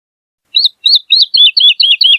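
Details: Woodlark singing persistently and melodiously, a recording meant for teaching other songbirds: a few spaced chirps give way to a quickening series of rich slurred notes, each dipping in pitch. The background is clean.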